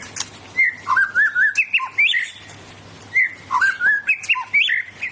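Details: A powerful white-rumped shama, a kept bird, delivers loud bursts and fill-in phrases. Mellow whistles step up and down, a short motif sounds twice, and sharp clicks come between the notes.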